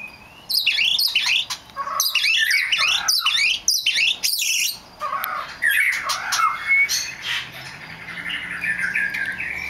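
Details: Rare black magpie robin pouring out a dense, rapid jumble of high chattering and squeaky whistled notes in several loud bursts, then softer slurred whistles.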